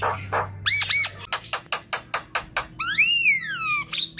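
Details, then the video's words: Javan myna singing, played as a lure to set other mynas singing: squeaky chatter, then a rhythmic series of sharp clacking notes about three per second, followed by a long arching whistled squeal and a final squeak, over faint low hum. "Coba,. Untuk pancingan jalak kebo ombyokan"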